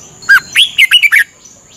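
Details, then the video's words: A caged red-whiskered bulbul in Thailand, trained for 30 minutes each morning to learn to sing, gives a quick, bubbly phrase of five or six rich, warbled notes, rising and falling, over a faint high hiss. "นกกรงหัวจุก ฝึกหงอนเป็นเวลา 30 นาทีทุกเช้าเพื่อช่วยให้นกเรียนรู้ที่จะพูดได้อย่างรว"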